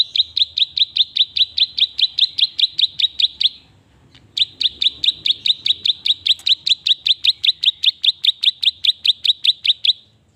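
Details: Klik-klik bird reared by hand from a fledgling, singing loudly: crisp, high clicks repeated about two and a half times a second in long rhythmic runs, broken by a short pause.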